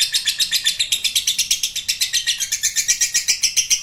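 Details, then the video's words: Lovebird giving a long 'ngekek' trill: a fast, steady run of high, sharp chattering notes, about four per second, holding evenly for the whole stretch with no other sounds. "Love Bird Ngekek Panjang"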